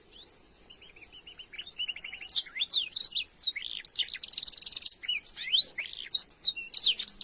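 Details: Canary singing a kenari isian training master song: begins with soft, evenly repeated chirps, then swells into loud varied whistles, rising and falling slurs and a sustained buzzy trill, the long nembak panjang shot.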